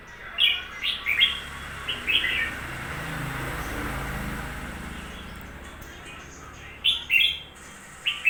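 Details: Red-whiskered bulbul, newly bought, gives clusters of sharp, sweet warbled notes at the start, then a quieter stretch of low rumbling noise, then more quick chirpy phrases near the end.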